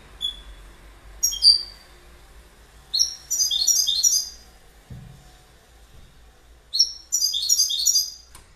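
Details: Goldfinch calling with a few single high tweets, then two bursts of quick, tinkling twittered song separated by a pause; a soft low knock is heard in between.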